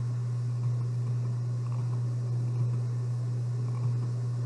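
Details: A steady low mechanical hum, like an engine, runs under broad hissing background noise throughout, with no clear animal calls.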